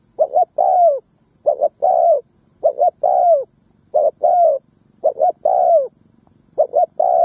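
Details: Six spotted dove lure phrases, used to attract males and females, come in quick succession. Each has a short double note, then a longer coo bending downward, with a faint low hum underneath.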